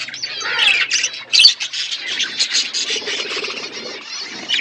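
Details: Flock of budgerigars eating winter food, chattering continuously with dense scratchy chirps and squawks overlapping, bright warbled notes rising and falling throughout.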